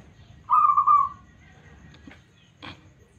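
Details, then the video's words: Local zebra dove, prized for a smooth voice and used to prompt other doves: one clear, bubbling trilled coo lasting under a second, followed by a few faint clicks in a quiet setting. "PERKUTUT LOKAL SUARA MULUS 💯% Nyaut..."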